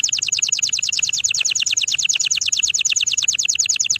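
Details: Canary song as one continuous, very rapid trill of bright high notes, each repeated about three times a second, evenly loud throughout with a faint low background hum.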